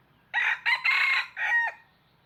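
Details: Decoy red junglefowl, kept for trapping wild birds, gives a single four-part crow: two short bursts, a longer sustained middle note and a clipped final syllable, clear and loud with little background noise.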